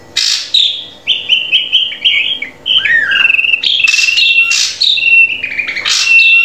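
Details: Drongo song used as a training recording to get a captive bird singing: varied whistled and buzzy phrases, some sliding and some steady, broken by harsh bursts, delivered in quick succession.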